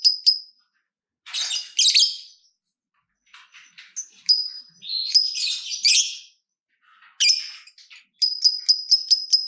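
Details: Lovebird chatter in irregular bursts, harsh rasping notes mixed with high clear chips, separated by silences, closing with a quick series of repeated sharp chirps; played to get other lovebirds singing.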